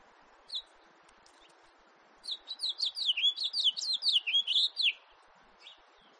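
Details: House finch from 2018 gives one chirp, then a rapid, bright warble of about fifteen downslurred notes lasting some two and a half seconds, ending with a soft final chirp over a quiet hum.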